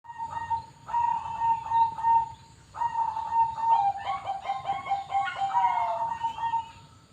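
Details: Bangkok-type zebra dove (perkutut) from a bird farm: runs of short, rapid, pulsed cooing notes, steady and mid-pitched, then overlapping bubbly trills. More than one bird seems to sing at once.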